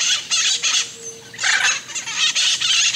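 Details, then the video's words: Short harsh hyacinth macaw squawks in separate bursts, a faint thin tone between them, then a louder run of rasping calls. "Hyacinth Macaws"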